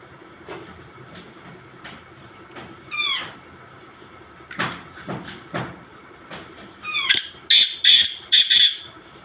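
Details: Black francolin mixed calls. Another bird makes falling twittery chirps and scattered sharp notes, and then comes a loud, harsh rasping phrase of four notes toward the end.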